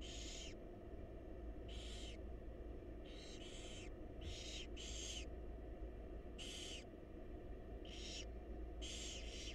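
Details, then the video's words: Barn owl chicks in a wild nest box beg while their mother feeds them, giving a run of breathy screeching hisses, some paired, roughly once a second, with low humming background. "Barn Owl Mom Lovingly Feeding Her Adorable Babies"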